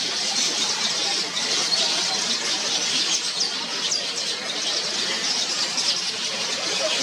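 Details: Yellow weaver birds at a tree holding over 100 nests in Mombasa, Kenya, busy in the early morning building and repairing nests and feeding young; a dense, continuous high-pitched chorus of chirps and squeaky notes from many birds.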